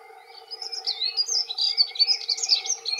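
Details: Territorial song of male dunnocks, two birds present: a rapid, high, scratchy warbling phrase that builds and runs on, thin trills and chirps tumbling together, with a constant low hum beneath.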